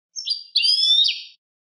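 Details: European goldfinch singing a clean song: a high, clear phrase of sliding whistled notes, a short opening burst and then a longer bright note with a downward twist. Silent background.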